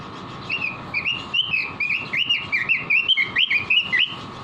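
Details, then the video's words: Robin recorded as a training (master) song for caged birds, delivering a lively run of short, clear whistled notes, rising and falling, about one per third of a second with little pause, over a steady background hum. "Masteran burung robin gacor"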